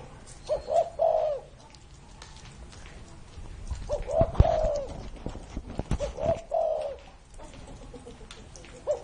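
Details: Spotted dove said to be over 30 years old, a kept songbird, gives three short low cooing phrases spaced about three seconds apart over a noisy background of rustling and clicking sounds.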